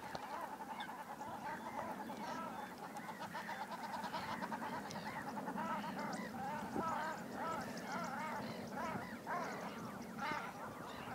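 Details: Aggressive common shelducks fighting in breeding season when too close together: continuous chorus of fast, harsh, nasal honks from several birds, rising in intensity toward the end over steady background noise.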